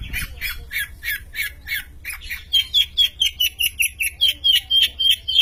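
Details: Champion long-tailed shrike singing energetically; a steady run of harsh, rasping notes about three per second, growing louder and taking on sharp whistled tones in the second half.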